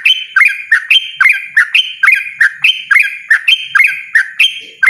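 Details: Loud, insistent 'ropel' song of a yellow-vented bulbul, quick clear chirps that drop and flatten, delivered in steady back-to-back pairs with no break.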